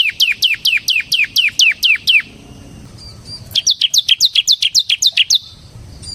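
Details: Ciblek semi, a bar-winged prinia, singing steadily; two long trains of rapid high down-slurred notes, roughly nine then fourteen, separated by a quiet gap of about a second.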